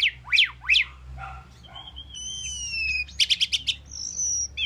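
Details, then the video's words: Asian pied starling singing sharp up-and-down chirps, a soft pause, then long thin sliding whistles and a quick burst of five buzzy notes before a sustained high whistle. "Asian Pied Starling Bird Singing and Chirping"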